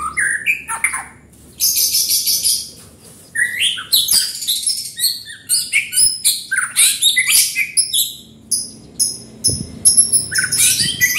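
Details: White-rumped shama pouring out dense, varied song, buzzy high trills interwoven with whistles and sharp chips, almost continuous with only brief breaks.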